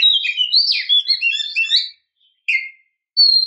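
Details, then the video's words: Female Oriental magpie-robin calling to lure a male. A quick jumble of varied high whistled and chirping notes lasts about two seconds, then a short slurred note and one clear, steady whistle. "Suara Gacor Kacer betina memancing jantan"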